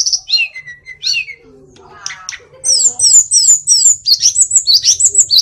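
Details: Tledekan gunung song opening with descending slurred whistles, a brief low chattering pause, then rapid high chirps repeated about three per second.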